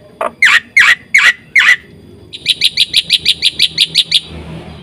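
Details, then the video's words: Black-winged myna (white starling), described as gacor with full isian: four loud, harsh, rasping squawks about a third of a second apart, followed by a rapid series of short, high whistled notes repeated evenly. "suara burung jalak putih gacor full isian"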